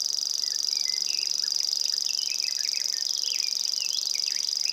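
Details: A common grasshopper warbler in Estonia gives its high, dry, unbroken insect-like reel, while other birds add scattered chirps and short whistles behind it.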